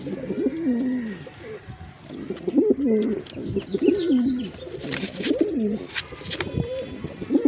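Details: Continuous low, undulating cooing from a male pigeon, phrases running into each other, with some rustling and a burst of broadband noise partway through.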